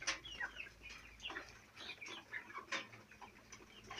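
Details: Young chicks, four weeks old, kept on a farm, giving busy overlapping chirps and peeps in quick succession, with faint low hum and scratching behind.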